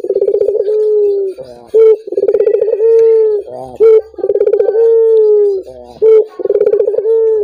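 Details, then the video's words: Collared dove calling to prompt other doves to sing: loud, repeated cooing phrases, each a fast rolling burst that flows into a long, steady drawn-out note, with a short clipped coo between phrases, roughly every two seconds. "Suara burung puter ini membuat puter anda ikut gacor"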